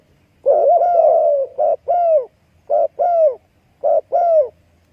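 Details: Baby dove beside its mother at the nest: one long wavering coo, then three pairs of short husky notes, the second of each pair sliding downward, spaced roughly a second apart in a quiet setting.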